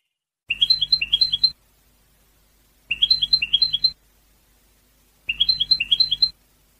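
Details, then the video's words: European goldfinch song: the same short twittering phrase of ticking notes rising to a sharp high note, sung three times about every two and a half seconds, each with a low hum underneath and silence between. "تغريد حسون"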